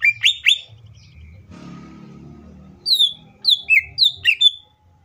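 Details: Green leafbird singing as a lure to get other leafbirds singing: three loud rising whistles, a soft hushed gap with low murmur, then a lively series of sharp downslurred whistled notes.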